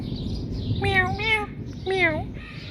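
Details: Pet Indian ringneck parakeet imitating a cat, giving two nasal, harmonic meow-like calls that rise then fall, each about half a second long, over a constant background hiss.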